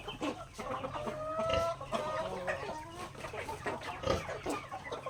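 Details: Chickens in a backyard during daily feeding, with long level whining notes among soft clucks, several birds calling together over pecking taps and a low steady hum.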